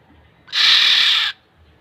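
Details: One sustained, grating, nasal screech from a black-naped oriole (kilyawan), lasting under a second, loud and even throughout, over a quiet background.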